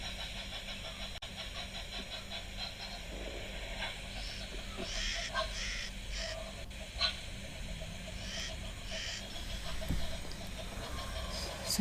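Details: Cape crows at an African waterhole on the morning of 1 August 2025 give harsh, croaking caws in scattered bursts over a steady low rumble of wind and background noise.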